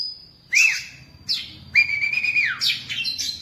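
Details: Caged Oriental magpie-robin, kept in a cage for ten years, singing: a thin high whistle, then clear sliding whistled phrases and buzzy bursts, one long level whistle falling at its end, over a faint low hum.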